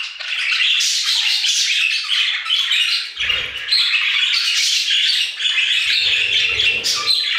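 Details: Many budgerigars singing together in an aviary: a dense, continuous chatter of squawks, warbles and shrill chirps, busy and overlapping throughout, with brief low thumps around the middle and near the end.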